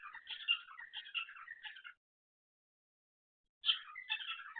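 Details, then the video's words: Caged pet cockatiel calling during the night: a two-second run of chirpy, scratchy chatter with a sharp squeak, a silent gap of nearly two seconds, then another burst of squeaky warbling. "cockatiel makes some weird noises in the night"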